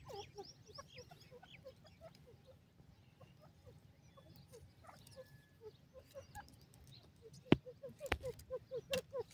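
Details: Francolin, known locally as teetar, recorded at home: a run of short, clipped calls repeated at an uneven pace, growing louder and sharper toward the end, over a steady low hum with a few sharp knocks.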